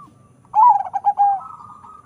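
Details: Zebra dove, a local-Bangkok crossbreed prized for its large voice; one loud bubbling coo phrase of about a second, broken into four quick pulses, then a soft sustained note, over faint low hum.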